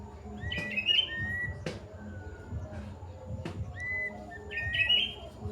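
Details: Plaintive cuckoo, locally called kedasih, in full long song: clear whistled notes near one pitch, slightly rising and falling, given in two short bursts, with faint background noise and a few sharp clicks.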